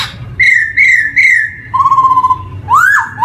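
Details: Black-throated laughingthrush (poksay hitam) song as a training lure for newly singing young birds: three bright, level whistles, a lower quavering held note, then a loud rising swoop.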